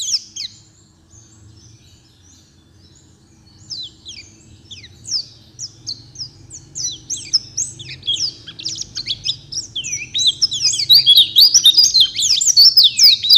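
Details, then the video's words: Java sparrow song building gradually from soft, scattered chirps into a loud, fast cascade of high, tinkling notes over a steady low background hum. "Suara burung perci istimewa"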